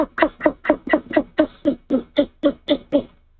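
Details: Male great horned owl at night at a nest in Canada, arriving with a mouse and calling to his mate. A rapid series of about thirteen short, even chirping notes, roughly two per second, in a quiet setting.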